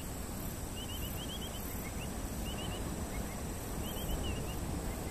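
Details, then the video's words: Terek sandpiper (Xenus cinereus), a passage migrant in Korea, recorded July–August 2023: quick runs of three or four clear, high, upslurred whistles, repeated every second or so over heavy low rumbling wind or surf. "뒷부리도요, 울음소리 Terek Sandpiper"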